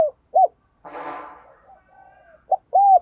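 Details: Spotted dove used as a decoy bird to excite males into cooing: short, arched, mellow coo notes at the start and end, separated by a brief noisy rustling burst and faint lower murmurs.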